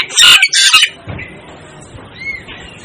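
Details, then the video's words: Asian glossy starling calls: two loud, harsh, buzzy bursts in the first second, then only faint thin whistles over a quiet background. "Asian Glossy Starling Calls Aplonis Panayensis"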